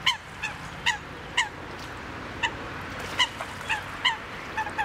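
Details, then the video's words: Eurasian coots at Duingt beach on Lake Annecy, Haute-Savoie, French Alps, give short, nasal, honking 'kowk' notes about twice a second at irregular intervals, over a steady background hiss. "Le chant de la Foulque Macroule"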